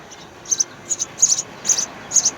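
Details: Three house sparrow young at the nest, fed by both parents, giving very high, thin paired squeaks in short bursts about every half second.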